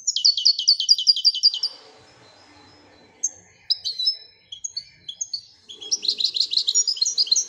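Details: {'text': 'Moroccan European goldfinch singing in the Widaniya style: fast runs of high twittering, tinkling notes, pauses with a faint low hum, then scattered whistled notes building into a dense trilling burst.'}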